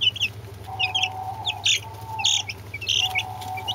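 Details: Young Brahma and Orpington chicks peeping: sharp, high chirps in loose bursts, alternating with a level mid-pitched whining tone, all over a low steady hum.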